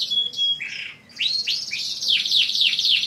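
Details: Caged canary master song to make other canaries sing, in short varied phrases: a thin whistle and a buzzy burst, a brief pause, then a run of loud downward-sweeping notes repeated about four times a second.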